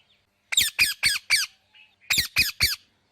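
A parrot gives harsh, grating squawks: four in quick succession, a pause, then three more, all high and raspy.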